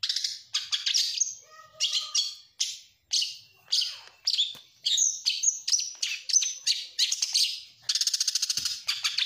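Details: Stressed oriental magpie-robin song used as a lure to provoke other birds to sing and for daytime tutoring: rapid harsh, scratchy bursts with short whistled notes, repeated about every half second, ending in a fast buzzy rattle.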